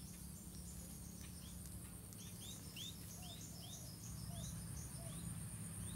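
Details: White-rumped munia chicks begging in the nest as parent birds regurgitate food to feed them: a quick series of short, rising, high chirps, several each second, louder toward the end, over a steady low hum.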